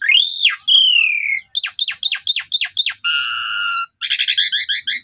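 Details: Asian pied starling song meant to rouse a sulking starling: a loud arching whistle, a long falling whistle, then seven sharp repeated chips about four per second, a buzzy layered note and a fast stuttering chatter.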